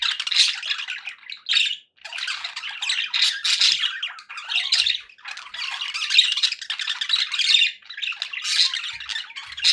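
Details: Budgerigar flock chatter meant to keep pet parakeets company and happy: busy, overlapping scratchy squawks and warbled chirps in bursts separated by short breaks.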